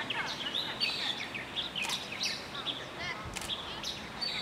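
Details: Dusky thrush with rapid high squeaky chirps and short whistled notes, dense and irregular, several calls overlapping, over light background noise outdoors.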